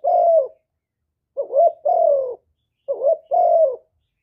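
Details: Spotted dove cooing in hap boi voice, a full song of calling, urging and cooing recorded without background noise; a long falling coo, then two phrases of a quavering note and a drawn-out descending tone.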